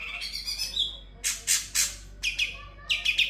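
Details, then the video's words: Ngebren-style sooty-headed bulbul song with konin, kapas tembak and kunti imitations: a rolling high trill gives way to three loud, harsh bursts, then a brief low whistle and renewed sharp chirping. "Cucak Cungkok Full Ngebren Isian Konin Kapas Tembak Kunti"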